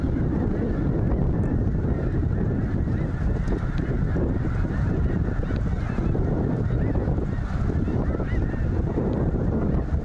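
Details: Thousands of snow geese at Goose Pond Fish & Wildlife Area, Linton, Indiana, keep up a ceaseless clamor of overlapping honks, loud throughout, with a rumbling low wash beneath.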